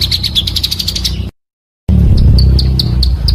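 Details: Pancawarna bird calling for bird luring: rapid high twittering notes, a short silence, then sparse single high chips against a loud low hum.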